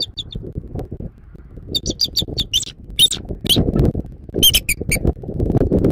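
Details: From a Southwest Florida nest on 14 January 2024 around 06:36, a bald eagle gives scattered high, squeaky chips that speed into quick piping runs, with low wind noise throughout.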